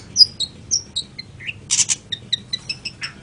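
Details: Long-tailed shrike giving a scattered series of brief high chirps and slurred notes, with one short harsh burst in the middle, against a quiet background.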